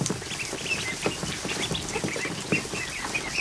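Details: Ducklings just hatched, more than 100 in a kiddie pool set up in a barn, afternoon. A busy chorus of short high peeps overlaps steady water splashing and pattering.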